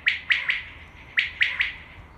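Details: Common quail call for hunting, two loud ringing triplets of short sharp notes about a second apart, over faint low background noise.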